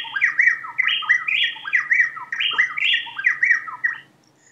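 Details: A male and a female Plain-tailed Wren in the Andes sing a normal duet, alternating syllables so quickly it sounds like one bird: rapid, interlocking whistled phrases looping up and down in a loud, rolling chorus for about four seconds.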